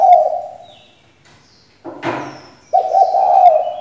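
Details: Caged female spotted dove used as a decoy to make males sing, giving low, steady coos at the start and end. Between them comes a brief harsh, broadband rustle or flap.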